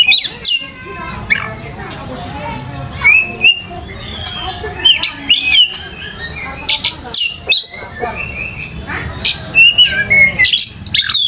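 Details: Energetic Oriental magpie-robin song used to lure young birds into singing: scattered whistles and sharp clicks give way to denser, varied whistled phrases and harsh chattering bursts, over a low background hum.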